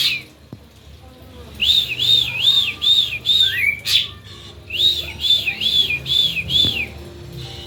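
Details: Ashy drongo song meant to set other drongos singing: after a quiet start, a run of evenly spaced arched whistles, a sharp low swoop and click, then another run of the same whistles.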